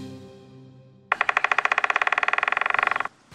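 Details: A White-backed Woodpecker in the Lava River canyon nature monument, Leningrad Region, Russia, drums a rapid roll of about thirty sharp knocks lasting two seconds, coming after a soft musical passage that fades out.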